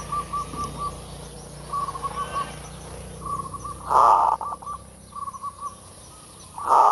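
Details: Lure recording of zebra dove full kerot song, repeated phrases of short even coos alternating with loud rasping bursts that break into fast stuttering pulses, roughly every few seconds, low hum underneath.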